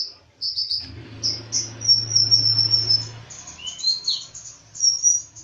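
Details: Songbird in vigorous song: high, thin whistled phrases and rapid twittering trills, sharp notes near the top of the range, with a low hum underneath.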